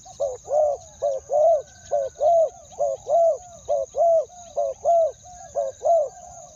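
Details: Spotted dove used as a decoy, calling to draw in wild doves in a two-word pattern: a brisk double note then a longer falling coo, repeated evenly about once a second over a faint constant hiss.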